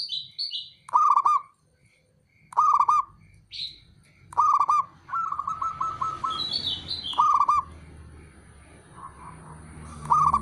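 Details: Male zebra dove, a local perkutut, repeats rolling, tremulous cooing phrases at intervals of about one and a half to three seconds. Higher chirps from other small birds are mixed in, with a steady faint ticking behind.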